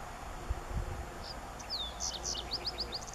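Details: Green-tailed towhee at Siesta Lake, Yosemite National Park, 12 July 2018, giving a high, thin downslurred whistle, then a quick run of sharp, repeated chips, over a low rumble of wind.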